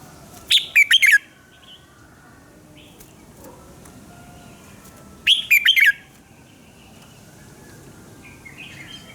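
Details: Red-whiskered bulbul singing in the morning, a voice-training recording for coaching other birds: two loud, quick bursts of four bright, falling notes about five seconds apart, with faint soft calls in the quiet between.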